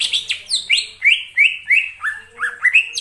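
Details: Lure song of a greater green leafbird, played for trapping: shrill falling whistles open into a steady series of rising, slurred notes repeated every third of a second.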